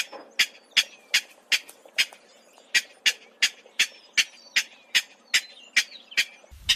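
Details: King Rail giving a steady series of harsh, clipped grunting notes, about two or three per second, evenly spaced and loud against a quiet marsh background; its grunts are said to be slower and deeper than a Clapper Rail's.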